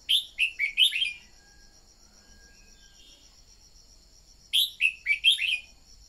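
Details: Red-whiskered bulbul training song for prompting birds to sing: a string of five bright, slurred whistles, a pause of several seconds, then a similar phrase repeated, with a steady high hum behind.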